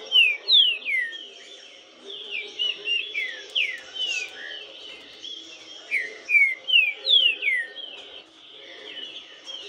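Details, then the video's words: Green-winged saltator (Saltator similis) sings loud, clear whistled phrases of quick downslurred notes, repeated in bursts every second or two over a faint background hum. "CANTO DESSE TRINCA FERRO É LINDO"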